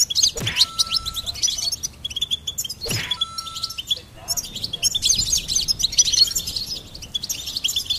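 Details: Singing goldfinch giving a fast, tinkling twitter of high chirps and trills, broken by two sharp clicks with a brief steady tone after each and a short pause near four seconds.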